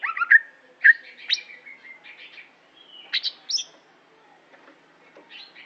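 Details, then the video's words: An Aceh greater green leafbird in competition form opens with loud sliding whistles, then softer mixed chirps and quick high notes that fade toward the end. "Cucak Hijo Aceh Prestasi"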